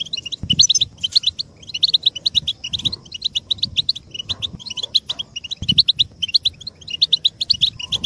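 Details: Collective 'batbata' twittering of European goldfinches, meant to excite males and speed their preparation; quick, bright chirps pour out in overlapping high-pitched bursts with brief pauses, over faint low knocking background sounds.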